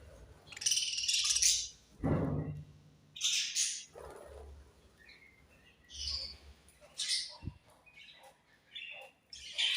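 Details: Budgerigars chirping during feeding time: bright, scratchy high chirps in short bursts roughly every second or two, with a couple of lower rustling thumps between them.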